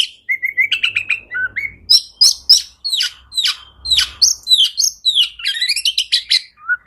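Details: Oriental magpie-robin, called kacer, in lively song: high, sharp chips and varied rapid whistled notes, fast rattling phrases roughly three per second, mostly between two and eight kilohertz, with a faint low rumble.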